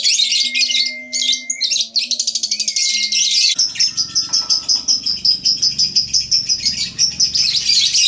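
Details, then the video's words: Lovebird ngekek, a lure to set other lovebirds singing: long, dense, buzzy high chattering trill, pulsing rapidly throughout, broken by a brief pause near the middle, with a faint low hum underneath. "PANCINGAN LOVEBIRD NGEKEK AMPUH TERBARU"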